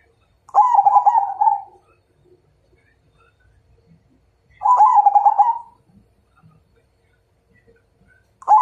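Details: Majapahit-style zebra dove calling out a rival to fight, giving two separate cooing phrases, each a quick stuttering trill that runs into a steadier purring coo lasting about a second, with long silences between them.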